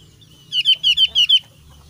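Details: Javan grey-throated white-eye of the thin-browed type, said to sound different from the thick-browed form: a quick run of six high, sharp, slightly descending notes, evenly spaced, loud and clear over faint low hum.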